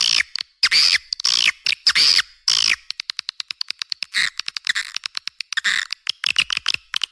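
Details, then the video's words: Swiftlets in a lure recording for swiftlet houses, said to draw a strong response: harsh buzzy chatter in broken bursts, then a fast train of dry clicks about every half second mixed with further grating twitters. "SUARA WALET"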